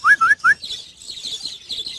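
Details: Budgerigars in a breeding colony give three loud, rising whistled chirps in quick succession. A softer, high twittering chatter from the rest of the flock follows.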